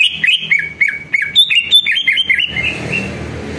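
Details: Greater green leafbird song used as a lure to prompt other leafbirds to answer and warm up: rapid chain of bright whistled and chirpy notes, several sharp downslurs, packed for two and a half seconds, then fading into steady background hiss.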